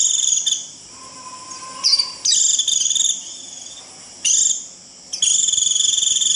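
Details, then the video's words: White-eye 'rít' flock-calling: high, piercing buzzy trills in bursts of about one to two seconds, broken by brief quiet spells, one burst opening with a short rising chirp. "Tiếng chim vành khuyên rít √ siêu gọi bầy cực kỳ nhậy gọi là về"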